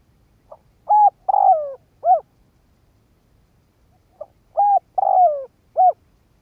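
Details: Decoy spotted dove cooing to lure and provoke wild doves: two matching phrases about three seconds apart, each a faint short note, then mellow low coos with a longer falling middle coo and a closing coo, over a quiet background.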